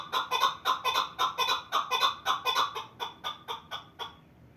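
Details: Pamir chukar partridge calling loud, regular clucking notes, about two per second, in a steady chuk-chuk rhythm. The notes fade away near the end, leaving quiet.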